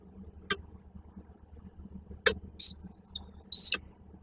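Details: Male peregrine falcon arriving at a nest site in Koszalin, Poland, on 8 March 2023 with a prey gift. The female does not take it and flies off. Sharp clicks, then two loud, high, harsh, wailing call notes.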